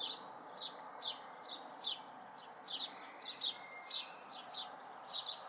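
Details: Young house sparrows, fledglings watched in May 2020, calling with crisp descending chirps roughly every half second, a few doubled, above faint constant background noise.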